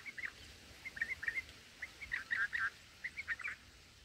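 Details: Black-headed bulbul nestlings in a nest during feeding, captured by a fixed, unattended camera: bright chirps repeated in quick clusters, some rising or falling, several per second with short gaps, over a soft outdoor hiss.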